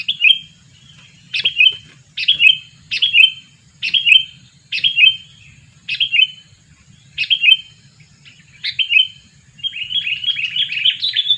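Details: Sooty-headed bulbul lure bird, two years old, repeating a short sharp whistled call roughly every second, ending in a quick twittering chatter; low background hum throughout.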